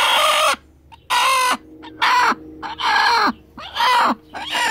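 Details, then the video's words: Broody hen on the nest, guarding her eggs, utters a series of loud, raspy, drawn-out grumbling calls, each about half a second long and ending in a falling slur, repeated roughly once a second. "Broody chickens talk"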